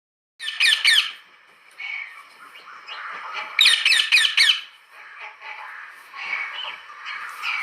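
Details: Parrot calling in harsh, rapid squawking bursts, two loud clusters of raspy notes near the start and middle, with softer chatter and murmuring in between.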